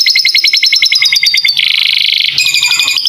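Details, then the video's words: Canary master song mixed with lovebird-style notes for teaching young birds: clipped repeated trill notes, a dense buzzy roll, then a quick high twittering trill. "Masteran kenari isian lovebird"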